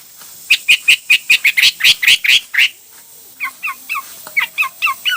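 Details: Singing hwamei delivers a fast series of about a dozen loud, evenly spaced chirping whistles, then after a short gap switches to softer repeated double notes dropping in pitch.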